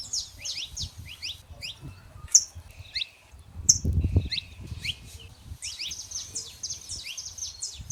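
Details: Saffron finches singing free in the wild: clusters of fast, high, upslurred chirps from several birds, with two loud sharp notes and a short pause before the chattering chorus resumes. Low rumbling noise sits beneath.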